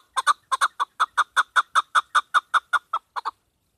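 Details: Female chukar partridge call used by hunters, a steady series of about seventeen sharp chuck notes, some doubled, roughly two or three per second, then stopping abruptly.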